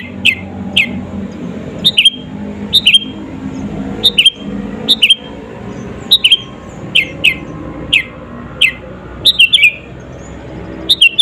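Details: Sooty-headed bulbul lure song ('gacor') to provoke rivals: steady series of about a dozen short, sharp, descending whistled notes, singly and paired, spaced roughly every second over constant low hiss.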